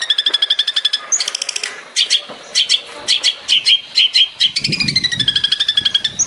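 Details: Long-tailed shrike tembakan-style song from a master recording used to train songbirds. Fast strings of bright clipped notes alternate with harsher buzzy bursts and a few rising whistles. A low rumble is heard briefly.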